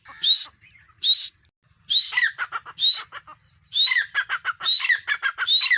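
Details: A female grey francolin calling: loud, rising whistled notes, each followed by a quick chattering series of shorter notes, repeated roughly once a second.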